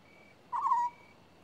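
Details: African scops owl giving one short purring, trilled note of about a third of a second, slightly falling at the end, against a faint, steady, thin high tone in the background.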